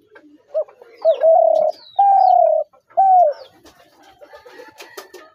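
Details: Spotted dove calls: a short lead note, then three strong, hollow coos, the first two long and level, the third shorter and dropping, followed by quiet ticking sounds.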